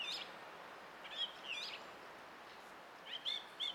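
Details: Song thrush singing on 20 April 2016: a few scattered high, clear phrases, some doubled, with pauses between them and faint background hiss.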